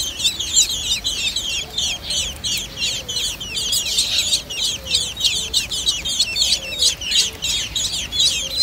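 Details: Robins at a nest while a hawk attacks: rapid, overlapping high squeaky chirps, roughly three per second, steady throughout, with faint lower notes beneath.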